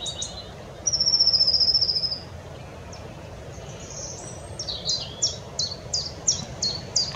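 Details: Wood warbler singing at Oldbury Power Station on 9 May 2021. A fast, high, shivering trill lasts about a second. After a pause, a series of sharp, high, ticking notes begins and speeds up over steady low background rumble.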